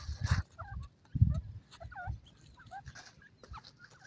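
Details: Male and female partridges or pheasants calling together in cages: short, twisting whistled notes in a run of about eight, some rising and some falling, over low thumps and rumbling handling noise.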